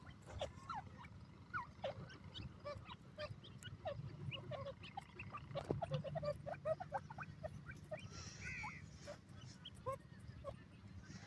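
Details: Young Iranian francolins kept and reared by people give rapid bursts of brief high peeps and rising chirps, dense at times, above a constant low droning hum.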